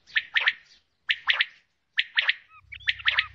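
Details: Female common quail calling in sharp three-note bursts, each note a quick broad chirp, with phrases repeated about once a second; a low hum enters near the end.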